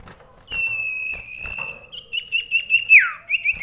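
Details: Common iora in a close-range indoor song contest: a long sustained whistled note, then rapid trilled notes ending in a sharp downslurred whistle, with faint knocking in the background.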